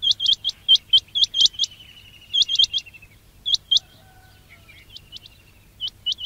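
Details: Quail chirping used to draw quails to traps: a dense burst of sharp high upswept notes, then sparser pairs, with a soft descending trill beneath.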